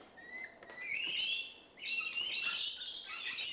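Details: Rainbow lorikeets that have just moved in, a thin rising note followed by loud, harsh, sustained screeching from more than one bird.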